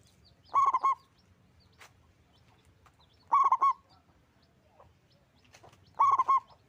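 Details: Zebra dove of the local type, singing loudly. Three rolling coo phrases come at steady intervals of roughly two and a half seconds, with scattered faint clicks and chirps between them.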